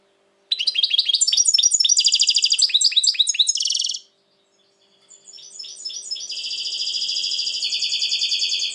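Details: European goldfinch, said to be very agitated lately, 2020: a loud rapid twittering phrase of about three and a half seconds, a short silence, then softer chips building into a long buzzy rattling trill.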